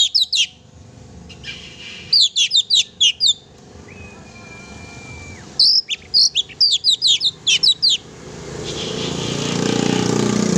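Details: Singing oriental magpie-robin, chatty and used to provoke a pet magpie-robin: two rapid bursts of high, sharp chirps separated by a steady flat whistled tone, with rising background hiss at the end.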